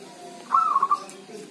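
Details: Zebra dove, described as healthy and singing whatever the weather, calling in rain or drizzle: a single short trilled coo of rapid pulsing notes, set against a soft steady rain hiss.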